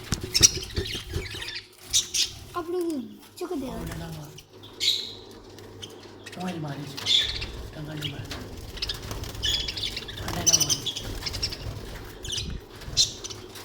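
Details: Budgerigars on 14 August 2020 chatter with scratchy chirps, squawks and warbled notes, with some background noise.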